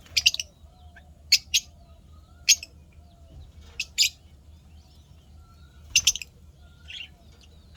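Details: Pet lovebirds described as happy, 12 May 2025: sharp, high, scratchy chirps come singly or in quick pairs roughly once a second, with a short soft twittering note near the end and quiet gaps between.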